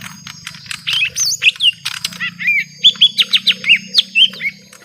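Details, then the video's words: Young lesser green leafbirds in a long fight with a rival: a fast stream of whistled, bending notes, many sweeping up then down, repeated roughly three times a second, with a faint steady hum underneath. "Suara Pertarungan panjang cucak ijo mini muda"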